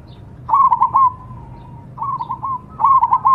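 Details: Three short song phrases from a Cemani zebra dove, each a string of quick hiccuping notes fading into a gentle warbling coo, with quiet gaps between them.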